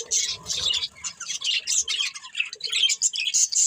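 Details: Budgerigar breeding pair chirping in short high bursts and squawky notes, spaced irregularly with soft gaps between, and some faint low rustling early on.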